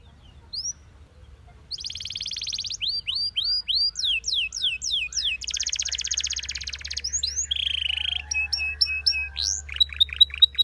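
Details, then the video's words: Belgian canary singing a long, varied song of rapid rolling trills, buzzy tours and quick down-slurred whistles, with a faint low hum underneath. "Belgian Canary Singing"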